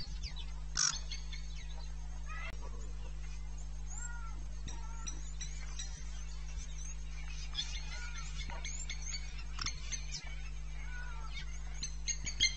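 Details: A nesting pair of blacksmith lapwings defending their nest against thirsty chacma baboons on the morning of 31 December 2017 at Pete's Pond, Mashatu Game Reserve, Botswana: sharp metallic clinks at an irregular pace, other birds chattering over a low hum.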